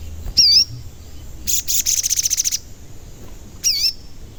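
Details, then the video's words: Sogon lure sound to agitate birds into calling: a loud dipping-and-rising whistled note, a quick high trill of about a dozen pulses, then another identical whistled note. "Pancingan Sogon Agar Bunyi dan Emosi"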